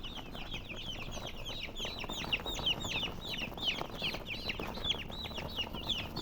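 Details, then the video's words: Colored domestic chickens give shrill, falling peeps in a busy overlapping chorus, roughly three calls per second, with a soft hiss of background noise underneath. "silly chicken chirping sounds with murgi hen color chicken"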